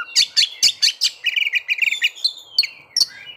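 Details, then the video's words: White-rumped shama song to provoke breeding condition and aggression: sharp repeated chips about five times, a quick rattling trill, then clear whistles and further crisp notes; faint low hum beneath. "pancingan agar kacer capat birahi dan emosi terampuh"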